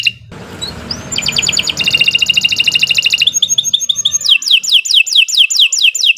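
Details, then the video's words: Canary kenari in long continuous song: a rising whistle opens into fast even trills, shifting to high chips and then repeated downward-sweeping notes; low hum early on. "Kicau Burung Kenari 149 II LUAR BIASA GACOR PANJANG Cocok untuk Masteran"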